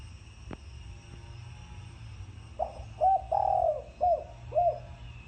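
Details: One extended spotted dove phrase in thổ sấm style: a rough opening note, a long falling coo, then several short separate coos, after a few seconds of low hum and a sharp click.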